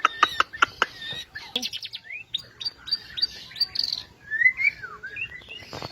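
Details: White-rumped shama (murai batu) in vigorous song: sharp clicking bursts, then a varied sequence of rising and falling whistles and bright warbled phrases, ending in more rapid clicks, over a faint low hum.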